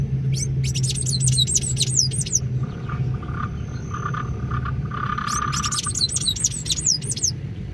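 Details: Sayaca tanager giving rapid bursts of sharp, high chirped notes, a first flurry near the start and a second about four seconds later, over a constant low engine-like hum.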